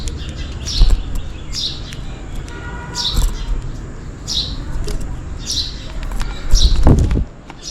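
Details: Sparrows calling for food on a rainy day give a run of crisp chirps nearly every second, with a louder thump near the end and steady low rumbling throughout.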